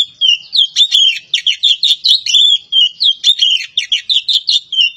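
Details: Javan pied starling from Java giving a fast, continuous chatter of high, scratchy, warbling notes with mimicked chips, steady and busy for the full stretch.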